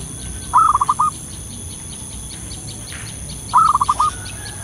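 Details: Local zebra dove calling actively in the wild, a lure call: two phrases of short, staccato cooing notes in a quick rhythmic burst, about three seconds apart, with faint high chirps of other birds behind.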